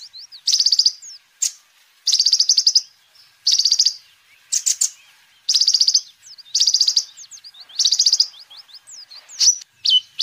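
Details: Sunbird singing vigorously, a recording for luring birds and tutoring their song: short, fast, high trills about every one and a half seconds, each set between thin slurred whistles and sharp clicks.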